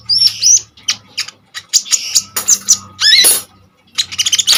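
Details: Common iora singing vigorously as a tutor for other songbirds: a shrill mix of quick chips, upward-sweeping whistles and a harsh rasping burst, separated by short pauses and ending in a rapid chattering run.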